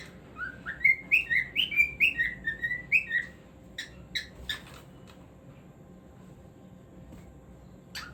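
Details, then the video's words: Cockatiel whistling a quick phrase of about a dozen slurred notes over three seconds, then a few scattered clicks and soft chirps before near quiet. "Cockatiel Singing Moments"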